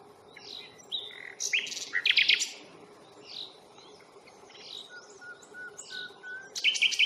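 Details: Nightingale song at the Fingringhoe reserve on the 1st of May: a mix of scattered chirps, a loud rasping flourish, a thin sustained whistle and a final sharp burst. A steady low hum runs underneath.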